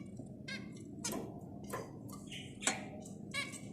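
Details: Zebra finches singing: short nasal, buzzy notes with stacked overtones, given in irregular bursts about every half second, some trailing into harsher noisy bits, over a steady low hum.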